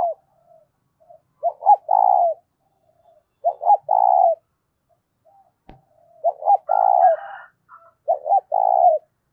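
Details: Spotted dove cooing, a loud, clear voice used to stir up decoy doves. Four low phrases, each two short clipped notes then a long, even coo, with faint soft coos between and higher whistled notes from another bird near the end.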